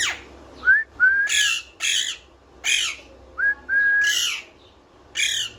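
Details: Parrot whistling full of enjoyment, with rising-then-level whistles repeated twice amid frequent loud harsh squawks and screeches indoors.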